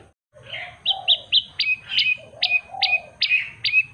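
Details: Singing common tailorbird (prenjak lumut) with a clear voice: after a brief pause, loud clipped high notes repeat about every 0.4 seconds, each followed by a short level whistle, over a soft lower warbling hum.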